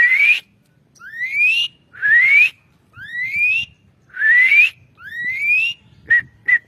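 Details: Asian pied starling song for training songbirds: loud rising whistles repeated about once a second, six in a row, ending with three short clipped whistled notes.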